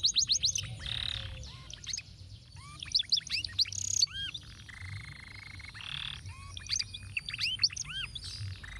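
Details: Canary tutor song in the intricate 'lagu ruwet' style: clusters of looping arched whistles and sharp chirps, separated by short buzzy rolls, steady low hum in the background.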